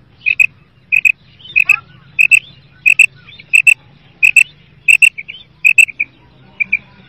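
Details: Female common quail, Pakistan, used for quail hunting: loud, crisp two-note calls repeated about every 0.6 seconds, eleven pairs in all, with scattered softer twittering and a continuous low hum beneath.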